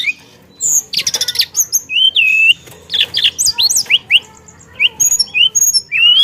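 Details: Javan tesia singing briskly with rolling, mimicry-filled phrases: a rattling burst, then separate upward and downward slurred whistles spaced through the clip, plus sharp high chips.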